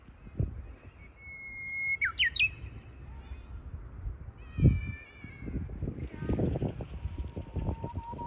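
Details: Lesser cuckoo calling in spring, heard on a walk: a long level whistle, then quick sharp notes leaping upward, with a second shorter phrase a few seconds later, over steady low thumps like footsteps.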